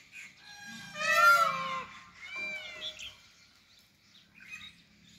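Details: Indian peafowl calling in the jungle after the rain. One loud, wailing harmonic call lasts nearly a second. A softer, shorter call follows, with faint background chirps.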